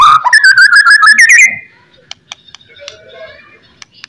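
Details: White-rumped shama (murai batu) song used as a lure to make other shamas answer: a loud, rich warbled burst of rapid rising and falling notes for about a second and a half, then near silence with faint clicks.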